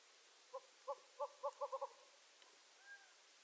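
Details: Gambel's quail from desert country in the western United States: seven short clucking notes that speed up toward the end, followed by a faint arched call, with steady background hiss.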